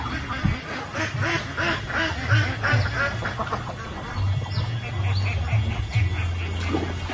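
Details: Several ducks on a lake. Quacks overlap in a busy chorus while a strong low rumble and outdoor noise run underneath.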